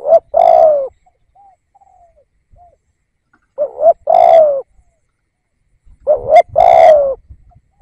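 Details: Decoy spotted dove calling to draw in wild doves, giving three two-part phrases about every three seconds: a quick rising coo pair, then a drawn-out rough coo that sags at the end, with soft quiet notes in the gaps.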